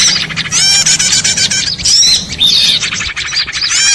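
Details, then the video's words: Busy small-bird chorus used as a trapping lure: dense overlapping chirps, squeaky buzzy notes and twitters running continuously, with a steady low background rumble. "suara ribut pikat burcil"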